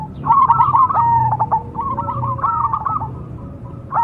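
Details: Perkutut cemani zebra dove gives two rapid, trilled cooing phrases with a clipped rhythm, then begins a third right at the end. A steady low background hum is present.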